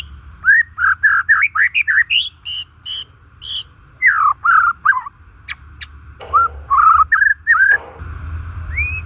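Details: White-rumped shama natural song for luring and encouraging stressed or non-singing shamas: a fast stream of varied whistles and warbles, brief sharp high notes, pauses, then renewed slurred phrases and a closing rising whistle.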